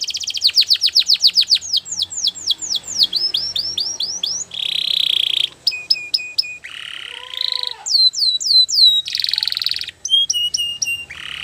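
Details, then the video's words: Belgian canary training song: fast repeated downslurred whistles in a quick trill, then buzzy rolls, sharp clipped notes and a brief lower tour, bright and varied phrases following one another without pause, recorded clean with no background. "The best canary training | Belgian canary"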